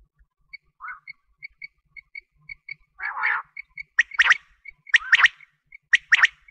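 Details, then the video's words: Quail calls used to lure birds for wheat-season hunting: sharp, broadband bursting notes repeated about once a second, with a steady series of short, high, dotted tonal pips running throughout. "Quail sound for wheat season hunting || BATER Ki awaz || Batair ki awaaz || Bater ki Baang"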